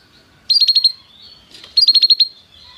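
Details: Canary sounds offered to prompt a pet canary to sing: two short bursts of about six quick, high chirped notes each, a second apart, over a faint background hiss.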